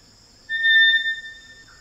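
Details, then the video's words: Wild Eclectus Parrot in Cape York rainforest, Australia, giving a single loud, ringing, pure whistle lasting under a second, with faint insects behind. "Eclectus Parrot Sounds & Calls"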